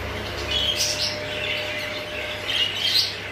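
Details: Exhibition-type English budgerigars chattering with bright, squeaky chirps and warbled notes in two clustered bursts over a constant low background hum.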